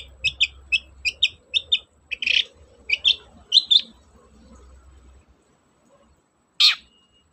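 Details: Long-tailed shrike song meant to prompt shrikes that are slow to sing: a row of crisp, evenly spaced high chip notes, then rougher buzzy phrases, a pause, and one loud harsh screech at the end over a faint low hum.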